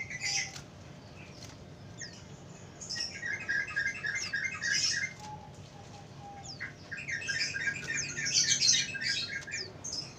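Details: Sooty-headed bulbul song used as a lure for wild birds: bursts of quick, bubbly, repeated mid-pitched notes mixed with sharp high chirps, separated by quieter pauses, over faint background hiss.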